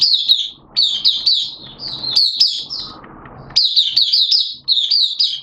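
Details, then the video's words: Songbird-hobby white-eye recorded 11 September 2022 in wet, changeable weather, delivering high, rapid twittering phrases broken by pauses filled with low background noise. "Mata Puteh T-Rex Buka Sing"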